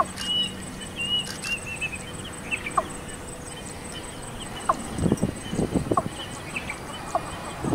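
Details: Female Watercock recorded on the outskirts of Kolkata, West Bengal, India, in June 2017. After a few scattered faint high chips, a quick cluster of low, hollow clucking notes comes near the end over a steady thin background hiss.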